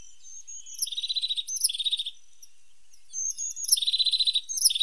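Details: Two similar phrases from a pointed, or sharp-nosed, tit: high slurred whistles leading into fast, even buzzy trills, with a quiet gap between.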